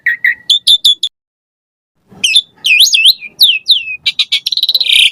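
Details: Asian pied starling song used as a lure to get captive starlings singing: short whistled notes, a brief pause, then looping slurred whistles, rising and falling, ending in a rapid buzzy rattle.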